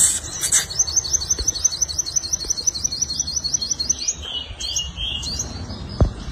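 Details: Five-coloured sunbird giving a fighting song used as a lure for wild birds: a fast run of high, thin upswept notes, about three per second, after a few brighter chirps, with a faint low hum beneath.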